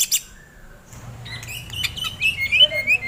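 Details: White-rumped shama in loud fighting song: after a short quiet gap, a jumble of high whistles and clicks builds, ending in bright rising and falling whistled phrases over a faint low hum.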